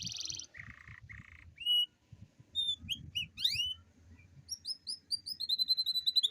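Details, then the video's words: Atlantic canary in a long rolling song used to prompt lazy canaries to sing: buzzy trills give way to sharp rising and falling whistled notes, ending in a fast series of repeated high chirps. "Pancingan kenari gacor ngerol panjang dan pancingan kenari malas bunyi pasti"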